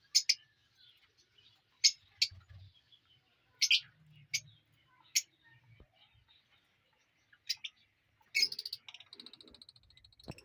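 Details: Ringed lovebirds of a new aviary colony calling with piercing high chirps spaced a second or two apart, then a rapid stuttering series of squeaky notes toward the end, with faint low rustling underneath.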